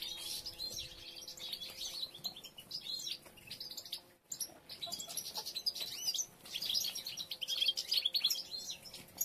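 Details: European goldfinch group in nesting season, females gathering material while three nests are built; rapid, overlapping high chattering and liquid twitters, briefly cut off by a short gap midway, then resuming busily.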